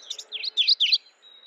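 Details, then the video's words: Mourning warbler calling, a short burst of four rich, buzzy high phrases delivered rapidly, the last two loudest, followed by a thin steady whistle from another bird. "Mourning warbler Calling."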